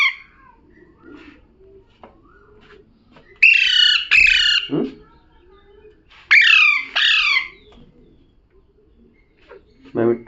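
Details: Parrot, said to be talking, gives two pairs of loud, harsh, harmonic squawks that slide downward, separated by quiet stretches with faint low murmurs and a short burst at the end.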